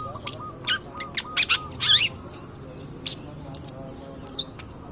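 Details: Long-tailed shrike, 'pastol' type, singing actively as a bait recording for other birds: scattered sharp chips and a long loud rasping burst, with faint thin whistled notes in between, against steady low hiss.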